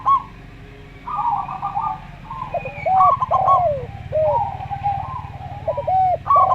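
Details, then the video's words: Zebra dove, a local bird with a slow song, sings alongside a Javan derkuku: after a quiet start, clipped rolling coos and curved, falling hoots follow one another, over a low steady hum. "Perkutut Lokal Suara Slow"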